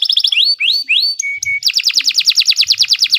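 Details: Canary of the Kenari 86 type in long tutor song for young birds: quick high chips, rising slurred whistles, two steady pure notes, then a fast rolling series of repeated notes.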